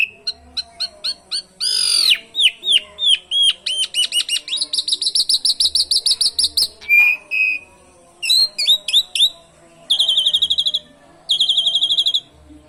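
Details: Asian pied starling in a long burst of song with canary imitations, used to trigger other birds' singing; rapid chips and slurred whistles build into fast rattling trills and high buzzy phrases.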